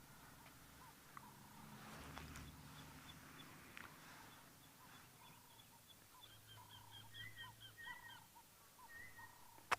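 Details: Southern boubou, first taken for an olive woodpecker, calls on 2 November 2022 near busy water with antelope and Egyptian geese in Cape leopard habitat: a run of short, clear, liquid whistled notes, quickening near the end, over a man talking.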